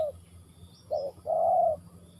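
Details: Spotted dove in Ninh Thuận: a brief low cooing fragment, with a short soft note followed after a pause by two hollow coos, the last one long and steady, over a quiet rural background.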